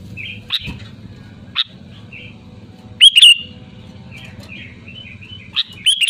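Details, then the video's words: Sooty-headed bulbul song used as a lure for other bulbuls: soft scattered chirps and whistles, then one loud, bubbling phrase midway and a couple of brief notes at the end, all above a low drone. "SUARA ASLI GACOR LANTANG BURUNG KUTILANG"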